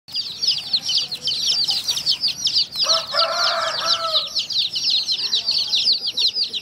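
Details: Brightly coloured chicks feeding alongside hens, a crowd of them peeping continuously in rapid, high, downslurred cheeps, with a lower drawn-out hen-like call midway.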